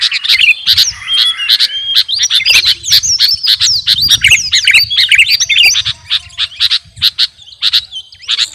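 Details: Sooty-headed bulbul, the garuda kutilang type, singing energetically, used as training song for captive birds: a dense run of quick chirps and short whistled slurs, tightly packed and uneven, with sharp clicky notes throughout.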